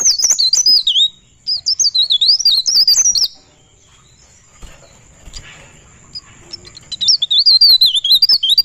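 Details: Pare pare bird singing ngerol, its high, twisting whistles running for three seconds, then a quiet gap with faint shuffling, and the warbling song returns near the end.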